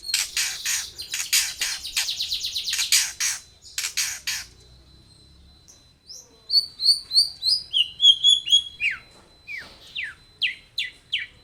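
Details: Long-tailed shrike song played as a lure to make birds sing: dense harsh rapid chatter of buzzy notes, a thin steady whistle, then clear downslurred whistles repeated in a quick series.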